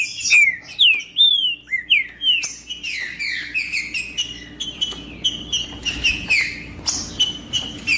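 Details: Green-winged saltator singing to stir up other birds: loud clear whistled phrases that slur downward, followed by a quicker run of repeated chirpy and buzzy notes, with a faint steady hum behind.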